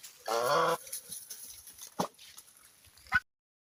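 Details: A goose playing in water lets out one loud, nasal honk of about half a second. Quieter scattered sounds and a brief sharp burst follow before silence.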